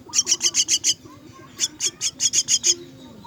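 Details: Myna chicks calling for food during feeding: two quick bursts of shrill, scratchy squeaks, roughly three or four per second, with a brief silence between the runs.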